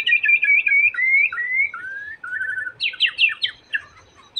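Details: White-rumped shama song meant to trigger a shama to sing: loud, clear whistled phrases sliding up and down in steady sequence, ending in a burst of sharp, rapid, higher chattering notes.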